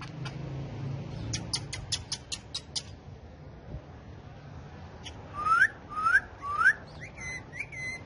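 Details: Four pet parrots on a bike, dancing and talking; a rapid series of dry clicks is followed by repeated upslurred whistles, each rising sharply, then short level whistled notes.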